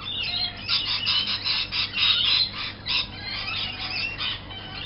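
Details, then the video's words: A noisy flock of lorikeets outside a window in the morning, their "alarm clock" chorus: harsh, shrill screeches overlapping in rapid bursts, several each second, with no other sounds standing out. "Lorikeet Alarm"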